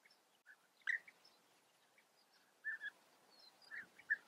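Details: A European bee-eater in the Eifel, Germany gives a few short, rolling, liquid calls scattered over four seconds, with faint higher chirps from other birds in the background.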